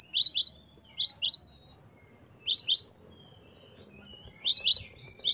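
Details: Great tit, locally gelatik batu, performing the gacor wucit variasi song used to tutor caged songbirds: three bursts of rapid high double notes with short gaps between them, over a soft low rumble.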